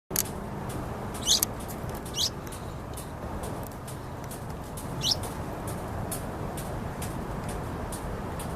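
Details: Yellow-vented bulbul (Pycnonotus goiavier) nestlings, eight days old, give a few thin, high squeaky begging notes at irregular intervals over a steady background hiss and scattered clicks.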